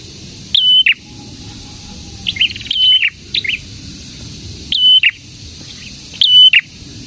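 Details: Prinia, locally called prenjak tamu or prenjak merah, singing energetically: bright, high whistled phrases, each a short flat note flanked by sharp chirps, repeated about every one and a half seconds against quiet low rumble.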